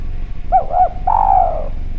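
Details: Derkuku Jawa spotted dove, clear-voiced and calling freely, as a lure sound: two quick arched coos run into a drawn-out gently falling coo, with faint background hum.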